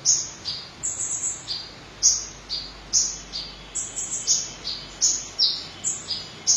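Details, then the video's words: A Van Hasselt's sunbird in full song sings a rapid series of very high, thin, sharp chips and short trills, about two or three notes each second, over faint background hiss. "Kolibri Ninja Dada Merah Gacor"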